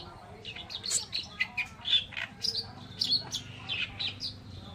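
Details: Oriental reed warbler, known as kerakbasi alis putih, masteran song: a lively series of high, sharp chirps and squeaky twittering phrases, roughly two per second, fairly clean with little background noise.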